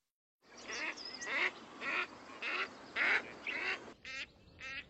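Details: Female Gadwall nocturnal flight calls: a run of about six harsh, nasal quacks, nearly two per second, followed by a few buzzier, rattling notes at the end.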